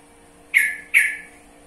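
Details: Two quick, forceful notes from a sooty-headed bulbul (trucukan), each starting abruptly and trailing off, under half a second apart over a quiet humming background.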